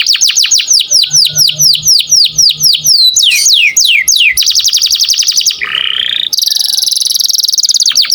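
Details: Energetic 'gacor' canary song, recorded as a tutor for other songbirds: a long run of quick descending whistled sweeps, faster flicking notes, a buzzy rising slur, then a sustained high rattling trill.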